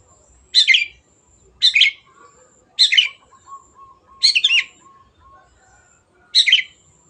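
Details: Long-tailed shrike used as a lure to get birds singing: five harsh, rasping bursts about a second apart, with a faint steady tone between them.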